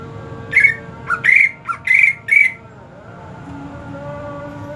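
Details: Kept greater green leafbird, hot season, gives a tight cluster of strident whistled notes interleaved with lower blips over about two seconds, followed by quiet hum.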